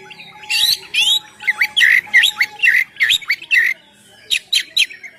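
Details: Oriental magpie-robin song for luring birds: a string of loud, hoarse rasping notes with bent whistled slurs, a thin steady tone in the background, a short quiet gap, then a few more harsh bursts.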